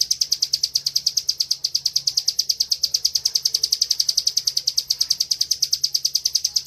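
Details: Steady 'ngebren' song from a caged bar-winged prinia, played as master training: quick, high, ticking notes repeated without a break, loud and even throughout.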